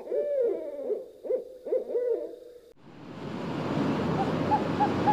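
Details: Owl hooting: a run of low, wavering hoots with bending, slurred pitch fills the first half, then a steady hiss of broad noise like wind or surf takes over with a few faint high peeps.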